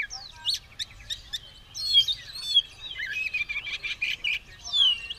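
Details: Oriental magpie-robin in fighting mood, tail opened, singing busily: sharp clicks and chips lead into long whistled slurs and tangled warbling.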